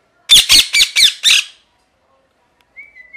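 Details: Parrot letting out a fast burst of five rough, screechy squawks within about a second, then quiet, ending with a soft thin whistle.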